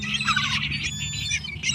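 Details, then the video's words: Wild gulls in a flock squawking over a pile of food including pizza and leftovers; dense overlapping harsh cries with a steady low hum beneath. "Happy Seagulls Eating a Variety of Foods!"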